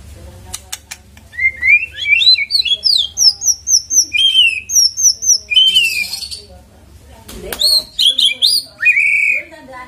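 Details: Lure recording of a white-rumped shama to set the bird singing: a fast series of high, clear whistled notes and sweeping slurs, some repeated in quick pairs, with a brief gap before more varied phrases.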